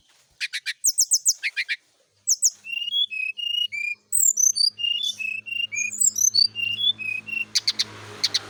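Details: Kept brown-chested jungle flycatcher in morning dew exposure to prompt frequent song: a few trill bursts, then a long run of clear short whistled notes jumping between pitches, with a low steady hum behind.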